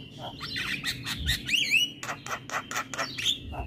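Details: Javan myna song from a training recording meant to get mynas singing, played in the morning: harsh squawks and rasping bursts mixed with short rising and falling whistles, loud throughout the clip.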